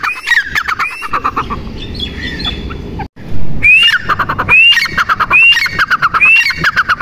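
A female grey francolin gives harsh, squawking calls with a rising whistled upslur, repeated about once a second over a low rumble of background noise.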